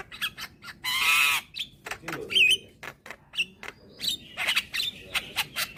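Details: Young white-eyed Javan myna giving its nodding call to lure hybrid mynas: a loud harsh squawk, a short wavering whistle, then scattered dry clicks and rasping chatter.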